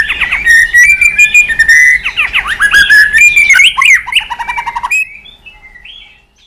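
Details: White-rumped shama in a long swiftlet-style song with voice changes: continuous whistled notes with rapid overlapping rising sweeps, then a sudden stop and a few soft, distant whistles.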